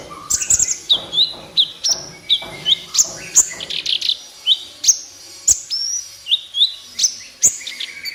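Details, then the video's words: Energetic 'gacor' kolibri ninja (sunbird) song used as a master recording to train captive birds: sharp, very high chirps alternating with short downslurred whistles, repeated roughly twice a second in a lively, uneven rhythm. "MASTERAN BURUNG KOLIBRI NINJA GACOR COCOK BUAT PANCINGAN KOLIBRI NINJA MALAS BUNYI DAN BAHAN"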